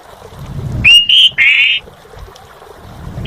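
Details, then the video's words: Asian pied starling singing actively, giving a few loud, clear whistled notes, one rising and one slurred and held, over a low rumbling background. "Suara Burung Jalak Suren Gacor"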